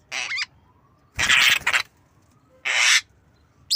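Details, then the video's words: Nodding Javan myna rehearsing a cough: a raspy note with a quick upward flick, a long rough hacking burst, then another harsh cough, spaced by short silences. "Jalak kebo Manggut Belajar Batuk"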